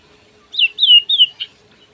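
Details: Oriental magpie-robin singing a brief phrase of three clear, high whistled notes, each slurring downward, then a short sharp chirp. The background is otherwise quiet.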